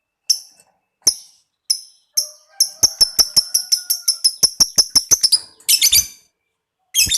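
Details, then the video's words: Lovebird played to excite other lovebirds into long trills: sharp high clicks that quicken into a fast ticking series, then a couple of harsh rasping squawks. "tingkatkan gairah bunyi lovebird apapun Fighter , Ngetik dan ngekek panjang"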